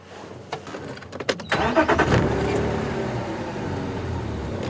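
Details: A car engine starts and revs, with broadband mechanical clatter and then a steady hum during a morning safari drive.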